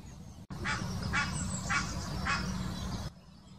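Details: Mating call of an Egyptian goose, Wittlicher Senke, 2018: four hoarse honks spaced roughly every half second, then sudden quiet, with a steady low rumble behind.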